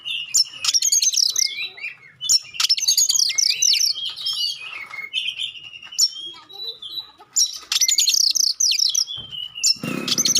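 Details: Sharp, clear song of a magpie-robin used to provoke other magpie-robins into answering: dense bursts of high chatter and descending whistles in several loud phrases, ending with a brief rustling thud.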